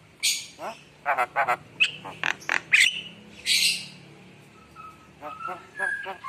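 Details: Javan myna in lively, full song, a jumble of harsh broadband bursts, short buzzy notes and a few clear whistles, with a faint human voice low in the background.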